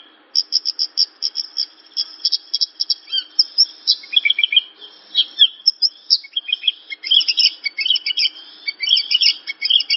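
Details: Javan bush lark song used as a tutor recording for training cage birds: dense, rapid high chirps and trills, many notes per second, with short buzzy and slurred phrases, a brief pause near the middle, then renewed chattering.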